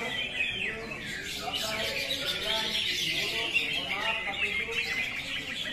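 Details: Busy, tumbling chatter of a cucak hijau (greater green leafbird) singing 'tembakan kapas tembak', with clipped notes sliding up and down in quick succession.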